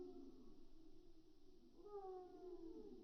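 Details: Calls of gulls in flight, slowed down into low, drawn-out, wavering wails that rise and fall, oddly cat- or whale-like, over a steady background hiss.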